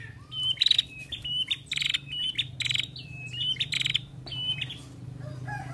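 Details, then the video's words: A female prinia (prenjak) gives rapid bursts of dry, buzzy, high, metallic chattering notes, several a second, over a low steady hum. The recording is used to stimulate other prinias to sing. "Prenjak Betina Gacor"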